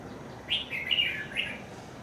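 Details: Trapping scene with a decoy red-whiskered bulbul luring an escaped bird home; a brief rich warble of rising and falling whistled notes, with continuous low hum behind.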